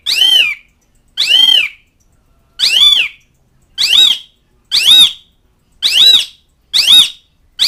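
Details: Asian pied starling calling to mates and rivals: eight loud, harsh arched notes repeated about once a second, spacing tightening toward the end, with quiet gaps between.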